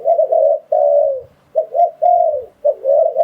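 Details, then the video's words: Spotted dove coos used for luring wild doves into traps: two quick low notes then a sustained, downward-bending coo, heard twice in clear succession with little background sound. "Tiếng Chim Cu Gáy Dùng Để Đi Bẫy Gọi Bổi"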